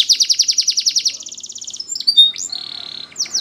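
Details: Morning song of a Spanish Timbrado canary, opening with a fast metallic trill of about eight notes per second that speeds into a finer roll, followed by a flat sustained note and a few downward sweeps.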